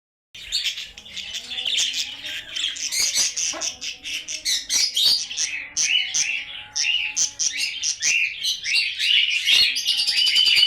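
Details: Budgerigars, called bajri or Australian parrots, offered in Lahore; a dense flock chatter of rapid warbling, chirping and squeaky notes running continuously, with many birds calling over one another.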